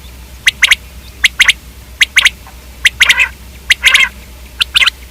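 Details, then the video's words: Common quail uttering spaced pairs and triplets of dry, sharp notes, with one longer buzzy trill, the phrases recurring about once each second against a faint hum. "Common quail video|Quail k hobsort awaz|Quail/Batair|Batairawaz"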